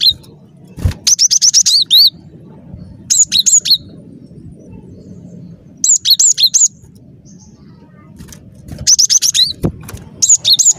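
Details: Cinereous tit in full, lively song: bursts of sharp, high, ringing two-part notes in quick phrases of four to six, each phrase separated by a pause of about a second, over a low background rumble.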